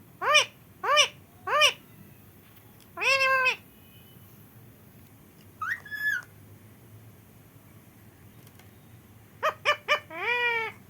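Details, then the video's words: Rescued parrot kept indoors since babyhood, which cannot fly and has learned to speak: scattered short nasal syllables in quick threes, a longer note, a brief whistled sound, then rapid clipped syllables ending in a drawn-out call. "Parrot talking mai mitthu | Meri Mummy"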